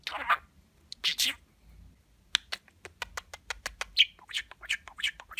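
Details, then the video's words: Pet budgerigar talking, mimicking human speech with many kissing sounds and the word for mommy: raspy, hissing syllable bursts, then a fast run of sharp clicky smacks and chattering notes in a quiet room. "Öpücük Ağırlıklı Konuşan Muhabbet Kuşu"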